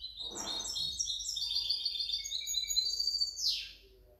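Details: Mixto of a European goldfinch, recorded 2019–2020, pouring out a quick string of high liquid twitters and buzzy trills, ending with a falling swept note, with a short low thump near the start.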